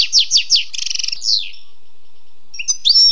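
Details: Song of a wild European goldfinch: three quick falling slurred notes, then a rapid buzzy trill and a descending sweep, a pause, and rising twittered notes at the end.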